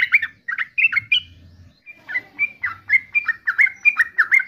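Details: Yellow-vented bulbul, locally trucukan: a moderately loud series of bubbly, slightly rising chirps repeated steadily, with brief pauses between groups.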